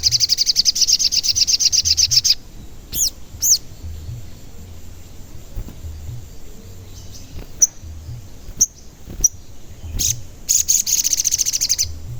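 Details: Sogon singing as a lure to provoke other sogon into calling and agitation. A long, high, rapidly pulsed trill opens the recording, then scattered sharp chirps follow, and a second buzzy trill closes it over low background noise.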